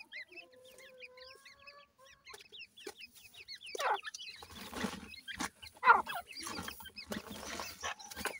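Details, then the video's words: Grey francolin, dakhni teetar, heard for comparing male and female voices: a run of thin, wavering, whistled notes repeated quickly, then louder rough clicking and rustling. "dakhni teetar male female difference,voice checks titur"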